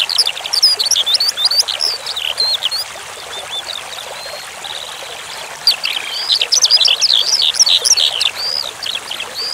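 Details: Skylark song for songbird tutoring, set over flowing water: rapid, high, varied chirps and slurred whistles in two bursts, with a pause in the middle where only steady trickling water is heard.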